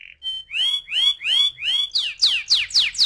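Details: Canary lure song for rolling singing: a string of loud, rising whistled sweeps repeated about every third of a second, then shifting into higher, sharply falling chirps.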